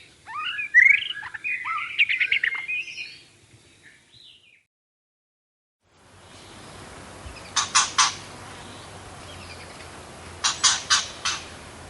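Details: White-rumped shama song: a few seconds of rich, varied whistles and quick warbled notes, then silence, followed by a hissy background with sharp, repeated clicking or tapping bursts.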